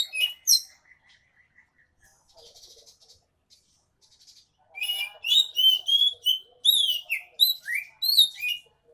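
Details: Oriental magpie-robin in energetic gacor ngemplong song, used to lure silent magpie-robins into singing: a few quiet scratchy notes, then a loud rapid series of varied clear whistles and sharp up-and-down slurred phrases.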